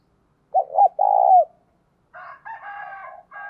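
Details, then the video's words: Decoy spotted dove giving its luring call to draw in wild doves: a short two-note stutter and then a long mellow falling coo, followed after a pause by a softer, rougher coo phrase. "Cu Gáy Mồi Thúc - Gáy Gọi Kích Bổi Mới Nhất"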